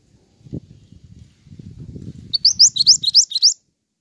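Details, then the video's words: Actively singing pied triller, audio meant for luring and tutoring songbirds; a low murmur and a thump give way to five sharp, upward-sweeping whistled notes in rapid succession. "BURUNG MANTENAN GACOR"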